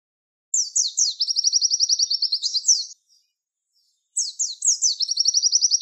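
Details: Javan white-eye tutor song of the 'tembakan wit wit' style, used for training songbirds: very high, rapid strings of falling slurred notes, then a fast even trill, in two bursts with a pause between.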